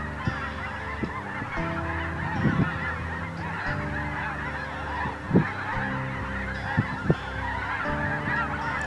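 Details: Large wild flock of snow geese with some Ross's geese mixed in, coming in to roost on the second evening: a dense, continuous chorus of many honking geese, with a few louder honks standing out nearby.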